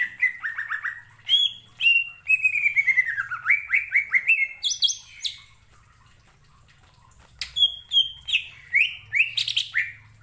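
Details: Greater green leafbird song used to stir rival leafbirds into singing: long runs of rich, rapidly slurred whistles stepping downward, a brief quiet gap, then more sharp rising and falling whistled phrases.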